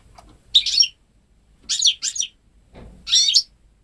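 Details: Home-bred goldfinch × canary hybrid, ten months old, hatched May 2013, with wholly goldfinch phrasing; three lively twittering phrases with rapid sweeping notes, a brief soft rustle before the last.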